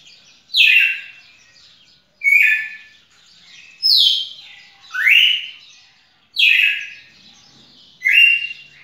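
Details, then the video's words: Red-cowled cardinal song of six loud whistled phrases, downward and upward slurs separated by soft chatter, coming roughly every second and a half. "Galo-de-campina fantástico"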